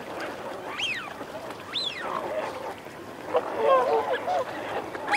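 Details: Males and females of Eurasian wigeon, females also growling: two clear rising-falling whistles in the first two seconds, followed by lower murmuring, growling notes and chatter from many birds.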